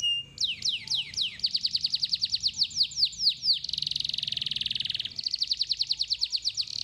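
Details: Lively canary song meant to get untrained canaries singing quickly with long rolls: sweeping downward whistled notes, a fast pulsed trill, a dense buzzy roll lasting over a second, then another rapid trill, over faint low hum.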